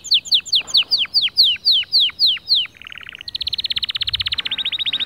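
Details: White male canary singing to motivate other birds: a series of falling whistled notes, a short low rattle, then a long high rolling trill of rapid identical pulses.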